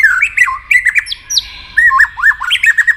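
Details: White-rumped shama in competitive singing with many voices and tail flicking: rich, varied whistled phrases of rising and falling slurred notes come in rapid succession with sharp high accents.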